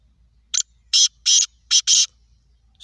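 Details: Loud, clear call of a black francolin, locally kala teetar or Sindhi teetar: a brief scratchy opening note, then four broad, buzzing, grating notes paired closely, with little background noise.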